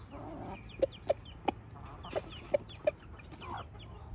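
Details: In Switzerland, a rooster calls his hens over to show them food with six crisp, evenly spaced clucks in quick succession, while faint high thin chirps from other birds flicker in the background above a low hum.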